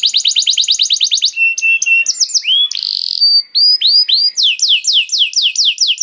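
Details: Canary bait song to make other canaries sing: a fast trill, flat whistled notes, a buzzy burst, upward-curved whistles, then a steady series of descending slurred notes.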